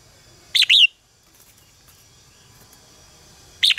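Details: Red-whiskered bulbul contest song for training birds to sing: one quick warbled phrase of three slurred whistles, a long quiet gap, then the start of another phrase.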